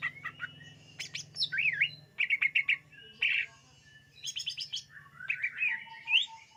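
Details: Song of a greater green leafbird used for luring: fast chirps, a looping whistled zigzag, staccato bursts and rising slurred notes, with a low hum in the first seconds.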